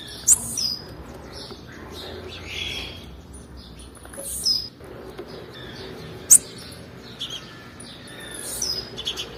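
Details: Female blue-black grassquit calling to excite males: several sharp, very high chirps spaced a few seconds apart, with thin whistled tails and soft rustling background noise.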